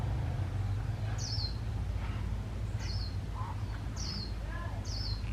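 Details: Decoy white-eye in a trapping setup, singing líu-style with single high, falling chirps about once a second. Faint lower twitters and a constant low hum are also heard.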